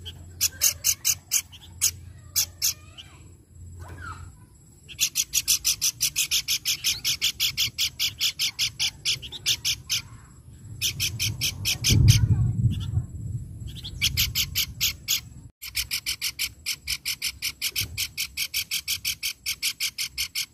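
A babbler sings fast bursts of sharp, buzzy notes, pouring out in long rattling series with brief pauses.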